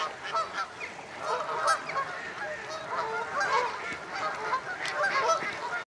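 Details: At Slimbridge Wildfowl Trust in Gloucestershire, UK, common starlings preparing to roost make a busy, rasping, chattering din of many voices, steady throughout, with some honking wildfowl calls mixed in.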